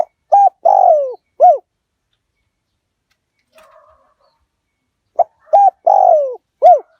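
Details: Decoy spotted dove, aggressive Liu Tan line, calling to lure wild doves: two bursts of a short coo, a long falling coo and an arched coo, separated by about four seconds of near silence with a faint murmur.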